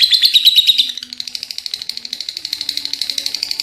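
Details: A short burst of lovebird ngekek chatter: loud, strident pulses open, then drop to a softer but still rapid, high, evenly repeating rattle.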